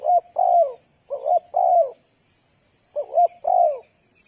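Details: Spotted dove decoy bird used for trapping, cooing in paired phrases: a short double note followed by a longer, falling coo, repeated twice after a pause, over a steady high insect-like hiss.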